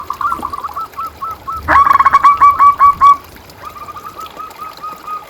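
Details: ['Local zebra dove song meant to stimulate quiet or stressed caged doves. Soft coo notes, a loud quick rolling phrase in the middle, then more distant rapid cooing.']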